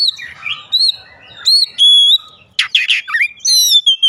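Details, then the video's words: Oriental magpie-robin song used as a lure to set other magpie-robins of any age singing: a lively mix of clear sliding whistles, sustained pure notes and harsh buzzy bursts, varied in pitch and rhythm. "KACER Suara Pancingan Kacer Gacor, Segala Usia Seketika Gacor"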